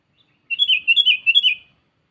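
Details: Sooty-headed bulbul calling a rival, played as a lure: a lively chattering phrase of roughly four bubbly, wavering notes strung together across about a second, loud and clear.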